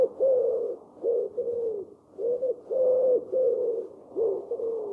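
Common Wood Pigeon song: soft, low, hooting coos in a five-syllable rhythmic phrase, repeated without pause. No other sounds stand out.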